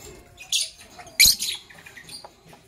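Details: Parblue violet Fischer's and pastel green opaline lovebirds chirp in the morning: a shrill, high chirp, then a louder, harsher double burst, trailing into faint ticking sounds.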